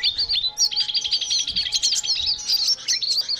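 A busy, nonstop chatter of high, rapid twitters and trills, with notes tumbling over each other like a noisy crowd of small songbirds; nothing else heard.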